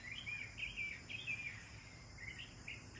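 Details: Bathing sparrows give a few clear chirps, short, sharp and slightly wavering, in two small clusters with a brief gap, over a faint steady high hum.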